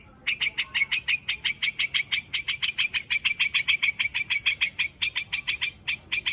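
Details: White-headed bird known locally as quạch mốc, calling its flock: a fast run of sharp, clipped chips, roughly three per second, each a short bright note, carried on almost without pause over faint background hiss.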